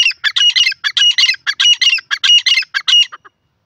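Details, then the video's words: Grey francolin calling: a rapid, steady series of loud, harsh, squawking notes in clustered bursts, about a dozen phrases over a few seconds. A thin sustained whistle runs through several notes, ending in softer, lower clucks. No other sounds are heard. "pheasant teeter ki boli gray francoline awaaz"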